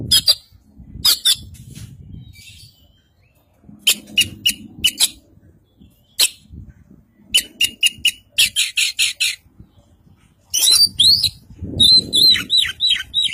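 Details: White-breasted Oriental magpie-robin (Kacer Poci) from East Java, caged and trained with other birds' songs in full isian style. Spaced clusters of sharp staccato notes and buzzy trills, ending in rapid descending slurred whistles. Low background murmur.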